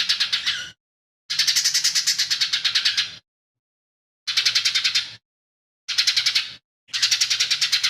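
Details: Cucak ijo mini, the lesser green leafbird, in full song packed with borrowed calls of fighting sparrow, tengkek buto and cililin; rough, rapidly pulsed rattles in phrases of one to two seconds, repeated after short gaps, low hum behind.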